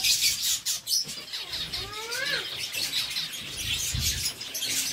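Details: Captive zebra finches in a breeding setup in Sargodha, eating seeds: a few short nasal harmonic calls near the middle, dipping then rising, over steady dry crackling and rustling from seed husking.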